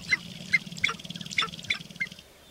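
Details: Sharp-tailed grouse on a lek in Northern Wisconsin, April 29, 2021, displaying: about six sharp cackling calls in quick succession, spaced roughly every half second, over a faint low droning background.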